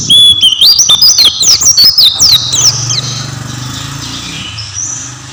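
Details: Oriental white-eye giving a brisk burst of high, sliding whistles for about three seconds, then fading to faint distant twitters with a low engine rumble.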